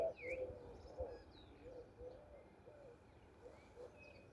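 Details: On a spring morning in Andalusia, southern Spain, among wildflowers, a mourning dove gives soft, low, hollow coos at an easy pace, while songbirds add thin, high whistles and chirps over a quiet outdoor background.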